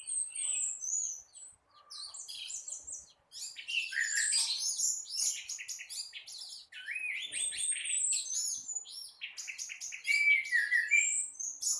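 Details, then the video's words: Morning song of an Orange-headed thrush in gacor teler style, a long unbroken stream of mixed chattering, trilled and whistled phrases jumping between mid and very high pitches, with only brief gaps. "Burung Anis Merah gacor teler dipagi hari"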